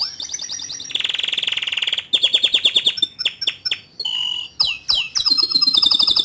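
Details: Young male canary song used to provoke a juvenile to start singing; a dense varied sequence of buzzy trills, sharp descending chips and high whistled slurs follows in quick succession.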